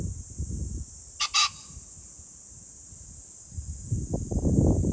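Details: Pheasant recorded 21 July 2024 gives one sharp, harsh two-note burst in quick succession, set against a steady shrill insect drone, with louder low rumbling and knocking noise toward the end.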